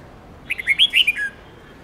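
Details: Red-whiskered bulbul, training song for young birds: a quick run of six or so clear, liquid whistled notes, ending on a lower drawn-out tone.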